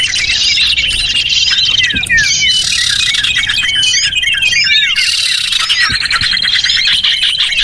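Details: A lure call for small birds: busy overlapping chirps, downward-slurred whistles and buzzy bursts from many small birds, continuous throughout.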